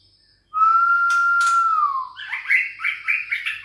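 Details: Young Bahorok-line white-rumped shama, aged six weeks and caged, singing against a challenger: a long pure level whistle that slides down into a rapid buzzy chattering run, with a faint steady high tone behind.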